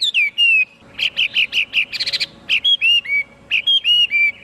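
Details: Song of a Chinese hwamei: clear falling whistles, then a quick series of rich warbled notes and a buzzier trill-like cluster, followed by more pure slurred whistles in varied pitch.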